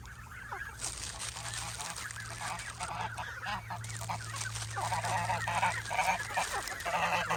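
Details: Many Canada geese crowd in while being fed nuts, giving a dense chorus of overlapping honks that grows louder and busier toward the end, over a low steady hum.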